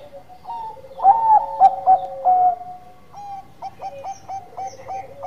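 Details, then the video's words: Bangkok-type zebra dove in vigorous manggung song: a loud ringing burst of stuttered coos, then a long even note followed by a steady series of short, bouncing clipped coos. "Perkutut Bangkok Gacor Manggung"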